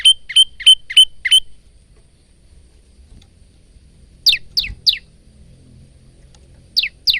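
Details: Male bar-winged prinia, an active singer kept as a training bird, recorded on a phone: two bursts of sharp high chirps, five even notes then three downslurred ones after a pause, with faint low background hum.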